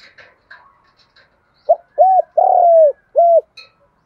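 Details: Kept spotted dove in thổ pha thúc voice luring wild doves toward the fighting perch; a few faint high chirps from other birds, then a strong phrase of short and hollow coos around one long, slowly falling coo.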